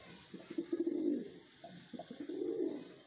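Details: Captive wild pigeon raised by a breeder, giving two rolling, low coos, each a throaty burst of pulses that swells and then fades, separated by a brief pause.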